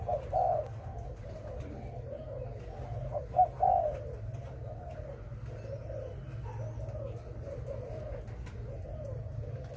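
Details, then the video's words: Spotted dove, a breeding bird, giving soft low hooting coos in repeated phrases, several rounds over ten seconds, with a steady low electrical hum underneath and a quiet indoor background. "Cu gáy sinh sản"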